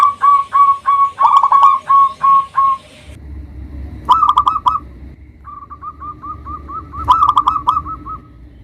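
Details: Local zebra dove used as a lure to provoke rival birds; evenly spaced hooked coos, then bursts of rapid stuttering notes and a long run of soft, quick coos, with overlapping phrases.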